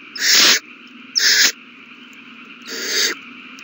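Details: Owl chicks begging while being fed at the nest, all the young eating well; three broad hissing, noisy bursts of about half a second each, with a long pause before the third.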